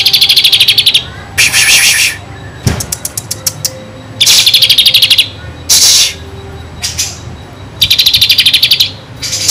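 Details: Kinoi singing vigorously, its song stuffed with mimicked kapas tembak phrases, suited to tutoring magpie-robins: bursts of very high, buzzy rattling trills alternating with rapid ticking note series, separated by brief pauses.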